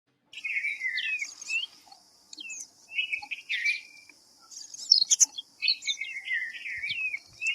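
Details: Red-vented bulbul calling: short bubbly, slurred notes in mid-high pitch, some rising and some falling, given in bursts with brief pauses. Higher sharp chirps from other birds and a steady high-pitched hiss run throughout.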